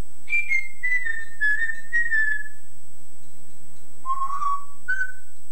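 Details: Male pet Yellow-naped Amazon parrot imitating his owner's singing voice, taken from an old home tape: a run of sung, slightly falling tonal notes, a pause, then two shorter rising-and-level notes, with tape hiss.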